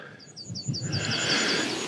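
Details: A Yellowhammer sings a fast run of thin, high, dry chips, about four or five a second, on a beautiful morning in southwest Sweden amid many birds, over low wind-like rumble.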